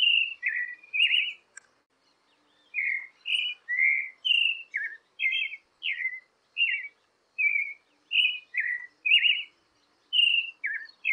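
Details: Creamy-bellied thrush (sabiá-poca) song, used to warm up and stimulate captive birds to sing: a steady run of short, burry, whistled two-part phrases, slurring up and down, about one per second, over a quiet background.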